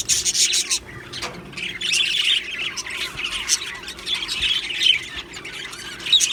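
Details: Colony of Australian budgie parrots chattering in an aviary: continuous high squawks and chirrups, many birds calling over one another in a steady warbling din.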